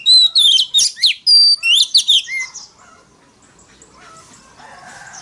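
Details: Oriental magpie-robin in loud 'wild voice' singing, used to lure rival males into competitive song; a rapid sequence of bright whistles and steep slurs, one long sustained tone, then fading to low background noise.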